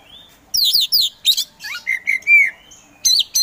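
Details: An Oriental magpie-robin sings a rich, varied song of clear whistles, quick down-slurred notes and buzzy trills in short bursts, with no other sounds, a provoking song meant to get sluggish magpie-robins singing.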